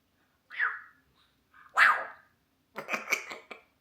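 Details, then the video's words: A pet African grey parrot, asked to bark like a dog, imitates a dog: two raspy, high-pitched barks a second apart, then a quick run of five rough, yapping barks. "Parrot barks like a dog"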